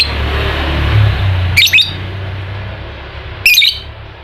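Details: Lovebird chattering in ngekek style, a lure for a lazy lovebird: two brief, piercing rattled bursts about two seconds apart over a constant low droning hum.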